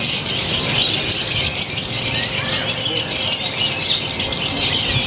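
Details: Lovebird from Purwakarta, Indonesia, with a new style of song and ever tighter pauses: a continuous rapid, shrill chattering stream of high twittering notes that runs without a break, with faint low background noise.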